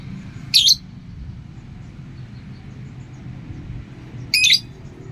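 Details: Pet lovebird giving two short, shrill squawking chirps about four seconds apart, over a steady low hum.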